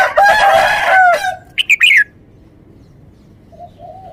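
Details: Red-whiskered bulbul phrase: a loud, rich, throaty warble with strong harmonics, followed by three quick bright chirps falling in pitch, then quiet with a faint soft note at the end.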